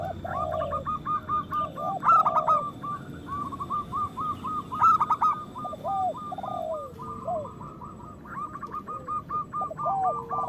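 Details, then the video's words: Group of local zebra doves singing loudly to encourage sluggish or moulting doves to sing. Long overlapping trains of quick bubbling coos, punctuated by loud accented notes and low slurred calls throughout. "Perkutut lokal gacor Suara Besar Pancingan Birahi Cepat Bunyi"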